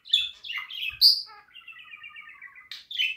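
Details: Budgerigar warbling a varied song: bright chirps and whistles, then a long buzzy trilled phrase held steady for over a second, ending with sharp high notes.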